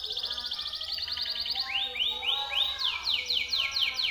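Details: Timbrado canary song used for training other canaries: a fast, high, pulsing trill of even notes, then a run of swooping rising slurs, ending in crisp falling whistled sweeps repeated about three times a second, over a faint low hum.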